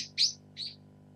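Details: Sparrow visiting a garden on a cold, snowy winter day in Japan: two short bright chirps about half a second apart, the first louder, over a faint low hum.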